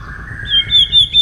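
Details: White-rumped shama singing in the morning during voice training: a long, steady low whistle slides into higher, clear whistled phrases with short bright notes.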